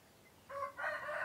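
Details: Crowing rooster of a laying chicken breed, a call usually heard at dawn. The opening of a crow: a bright harmonic note jumping to a louder, higher sustained cry, cut off after about a second.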